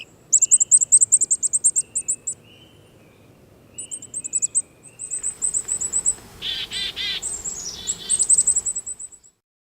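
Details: Black-capped chickadee (Poecile atricapillus), high-z alarm call: alarm call warning of danger.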